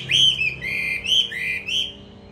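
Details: In Hà Nội, Vietnam, a caged hwamei trained for fighting gives clear, slurred whistles, four swooping phrases, each rising then gliding down, in just over two seconds.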